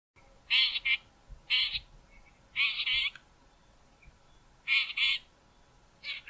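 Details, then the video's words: Male Southern fiscal singing on Mountain Drive near Grahamstown, South Africa: harsh, grating, buzzy bursts, often doubled, repeated at uneven intervals of one to two seconds over a faint low hum. "Southern Fiscal singing"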